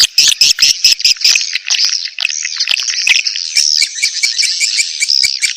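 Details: Edible-nest swiftlet 'birahi' mating call for luring swiftlets into a nest house: dense, high twittering chirps with rapid dry clicks throughout, rattling along at roughly two per second.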